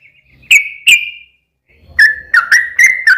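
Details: Sooty-headed bulbul lure song: two drawn-out whistles, a pause, then a rapid series of rolling whistled notes, with faint low background noise.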